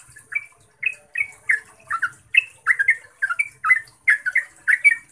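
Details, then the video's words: Lure recording of a yellow-vented bulbul for training caged birds: a steady run of bright, liquid chattering notes, roughly two or three each second, slurred up and down. "Suara Trucukan Ropel Panjang Jernih AMPUH untuk PANCINGAN Trucuk Biar Gacor"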